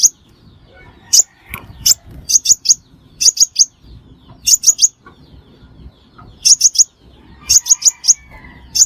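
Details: Crimson sunbird recorded as trapping bait, giving short clusters of two to four thin, high, clipped notes spaced irregularly, with brief gaps and faint low background noise.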